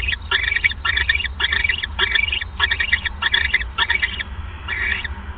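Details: Owl at its nest while a mouse is delivered on the evening of 1 January 2015. About eight short, hoarse, hissing bursts come in quick succession, then a pause and one last rasp, over a low hum.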